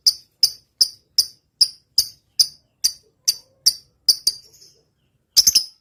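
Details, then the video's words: A vigorously singing lovebird in the 'ngetik' style gives a run of sharp, high tick notes at a steady pace, then breaks into a brief trailing chatter, a pause and a quick double burst. "suara burung lovebird gacor.. ngetik panjang.. lb sekampung langsung rame"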